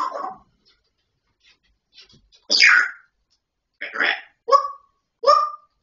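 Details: Grey parrot producing mimicked speech: a soft syllable, a pause, then a louder rasping phrase and three short tonal word-like bursts near the end.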